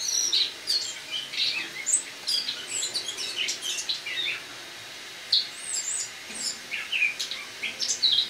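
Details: Autumn singing of a captive Eurasian blackcap moved inside from a balcony to overwinter, morning of 1 October 2017; hurried scratchy warbling phrases and thin high notes, with a short pause before a fresh burst.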